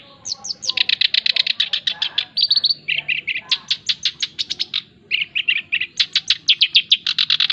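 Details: A male black-browed reed warbler sings continuously, a recording meant for tutoring and luring other birds: quick strings of sharp rasping notes, buzzy trilled segments and clicking chatter, phrases repeated at a brisk pace with one short gap.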